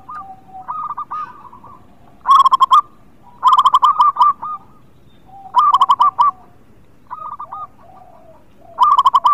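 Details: Local zebra dove singing vigorously, used to lure birds reluctant to sing: loud bursts of rapid, rolling coos repeated every second or two, with softer cooing phrases from other doves between them.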